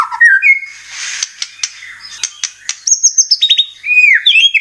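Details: Lure song of a white-rumped shama aimed at caged birds: low whistles, scratchy sharp clicks, then high piping notes and looping, descending whistles.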